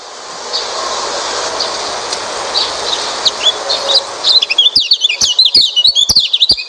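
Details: Oriental white-eye singing to lure a silent white-eye into song. A steady hiss with faint chirps comes first, then a rapid burst of high twittering notes mixed with dry clicks.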